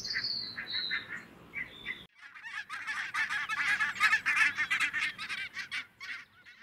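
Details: A flock of grazing barnacle geese on full alert as two red foxes close in gives rapid, overlapping yapping calls, about three per second, after a high descending whistle at the start.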